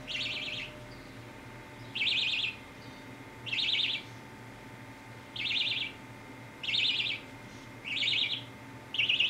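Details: Baby budgie enjoying a head scratch, uttering seven grating, trilled chirps roughly every one to two seconds, against faint steady hum.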